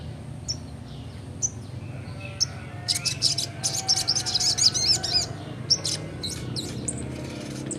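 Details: Sogon, young and in full ngleper song: a few isolated high chips, then a fast run of sharp bright chirps at about four per second, tailing off, over a low steady hum.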